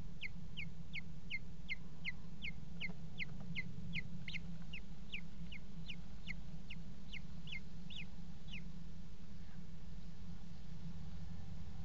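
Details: Kestrel pair copulating at a nest box in a water tower, February 5, 2018: a long, fast run of about twenty-five shrill, descending 'kee' notes that stops abruptly, leaving only a low droning hum.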